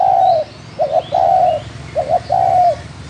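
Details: Wild spotted dove cooing: low hooting phrases, each a quick doubled note followed by a longer steady coo that drops at the end, repeated about three times over a quiet background.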